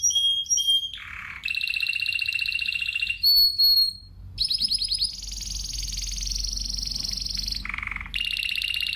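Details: Varied Spanish timbrado canary song mixing short whistles, a low buzzy roll, steady high trills and clear held tones, with brief pauses between phrases.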